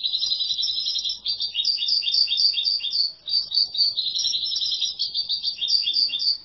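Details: Unbroken high-pitched twittering from a European goldfinch throughout, with quick tinkling and buzzy notes tumbling several per second in a long, energetic song phrase over a quiet background.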